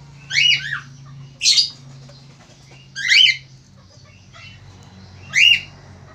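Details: A male Australian finch gives four harsh, nasal squawks, each under half a second long and irregularly spaced, over a steady low humming background.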